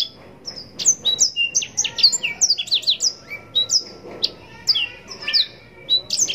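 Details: Blackthroat, or yellow-rumped serin, singing continuously: dense runs of thin, high, sweet whistles and quick downslurred chips, phrases tumbling together with hardly a break, faint low background hum.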